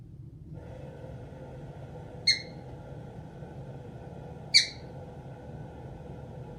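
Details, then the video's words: A pet caique parrot, one that sings, laughs and swears, gives two brief, shrill, harsh squawks about two seconds apart over a steady indoor hum. "Caique Parrot sings"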